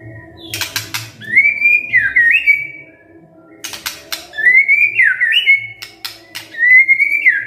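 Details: A white-rumped shama repeats a kretekan and tembakan style phrase: a burst of sharp clicks, then a rising, looping whistle, given twice with a pause, plus a faint low hum.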